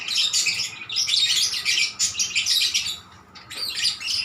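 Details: Energetic lovebird song answered back and forth, a fast string of high, buzzy squeaks and twitters, pausing once near the end before resuming.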